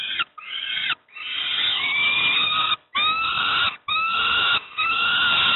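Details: Young peregrine falcons at Moszna near Pruszków begging while fed breakfast: long, harsh wailing screams with thin rising whistled overtones, sustained for over a second each, broken by short pauses.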